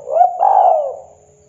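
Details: Local wild-type spotted dove in full song, KUK 2 style. A brief rising coo leads into a longer, smooth, slightly descending throaty coo that fades out within about a second.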